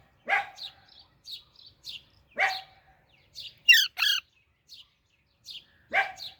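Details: Baby Alexandrine parakeet trills short high chirps, punctuated by sharp, clicking notes about every two seconds and one loud, harsh double squawk in the middle.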